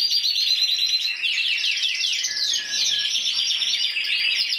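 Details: Solo intense yellow canary that won the 2014 Spanish championship with 94 points, delivering a fast, unbroken stream of high trills and twittering rolls.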